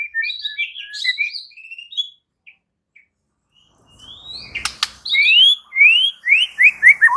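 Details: Murai batu in vigorous answering song, unloading varied phrases: jumbled warbles and whistles, a quiet gap, a sharp rattle, then a series of loud, slurred upswept whistles in rapid succession.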